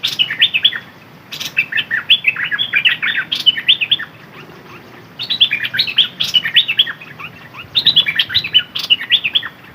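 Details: Red-whiskered bulbul kept as a decoy bird, singing in the dok taeng style: short bursts of bright, warbling whistled notes, rising and falling, in three phrases separated by brief pauses over a quiet background.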